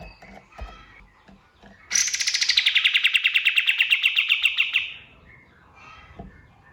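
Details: Male kapas tembak white-eye singing at dawn, used as a master song for training songbirds: a sudden three-second burst of sharp, rapid repeated notes, starting high and easing slightly downward, then stopping abruptly; faint scattered noises before and after.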